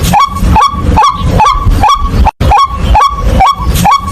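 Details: [['White-breasted waterhen: a loud, rhythmic series of short rising calls, about two to three per second, with a single brief gap midway. Strong low rumbling noise runs underneath.']]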